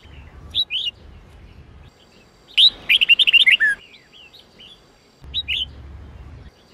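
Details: Red-whiskered bulbul of the Sông Kôn type singing an 8-9-10 note song used for voice training. Two quick paired whistled notes, then a loud burst of about nine rapid bright notes ending in a falling slur, then another short two-note phrase.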